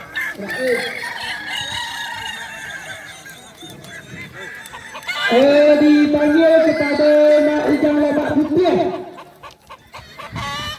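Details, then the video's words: Balenggek rooster (ayam kukuak balenggek) at a crowing competition in Danau Bawah, Solok Regency, on Sunday 6 October 2024. A loud, drawn-out crow of about four seconds with stepped, level-pitched segments follows fainter crowing and background murmur. "lomba ayam kukuak balenggek"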